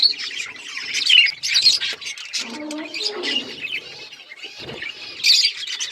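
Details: Budgerigars chatter in a continuous, high squeaky babble. One burst is louder near the start and another near the end.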